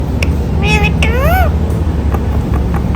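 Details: Rose-ringed parakeet talking: a few short, warbling, voice-like syllables with bending harmonic tones in the middle of the clip, over a steady low hum and background noise.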